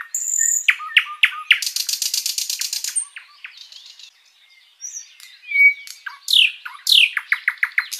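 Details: Sikatan londo flycatcher in long continuous song, meant to enrich the repertoire of kept birds. High whistle and chirps, then a loud harsh rattle, soft buzzy notes, a pause, then sweeping downslurs and a rapid run of sharp notes.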